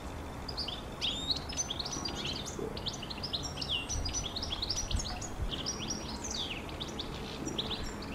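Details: Song of a European goldfinch, a fast jumble of tinkling, liquid twitters and sharp chirps delivered nonstop for several seconds, the notes sliding up and down in quick succession against faint constant background noise.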